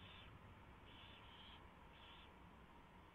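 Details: Owl at the nest, February 24, 2016, 4:21 AM, during a mouse delivery and feeding; three quick raspy hisses, the middle one longer and doubled, within three seconds over dense background hiss.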